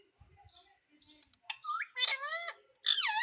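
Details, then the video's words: Indian ringneck parrot, a pet trained to talk and say "mummy": faint scratchy sounds at first, then increasingly loud, strained, harmonic squawks rising and falling in pitch toward the end. "Mummy Mummy bolne wala Tota _ Parrot Talking _ Sweet Ringneck Parrot Talking"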